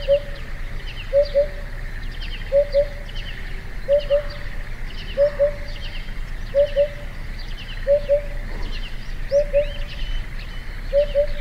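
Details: Eurasian Hoopoe, a rare vagrant at the foot of Yatsugatake, Japan: soft, low hooting double notes, 'hoo-hoo', repeated steadily about every 1.3 seconds, with faint higher bird chirps and a steady hum in the background.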